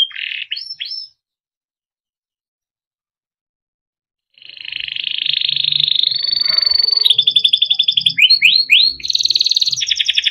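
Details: Timbrado canary singing for training: a few short rising notes, a three-second silence, then a long dense rolling trill leading into rapid pulsed phrases and quick sweeps, with faint low background noise.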